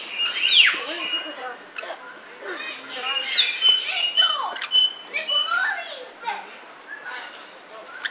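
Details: A sulphur-crested cockatoo (Cacatua galerita) at Belgrade Zoo gives a jumble of short squawks, rasps and thin whistles at an uneven pace, with voices or other chatter in the background.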